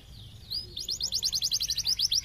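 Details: Canary song used as a lure to make other canaries respond: after a faint rising whistle, a rapid run of bright chirped notes repeating about eight times a second, high and clear.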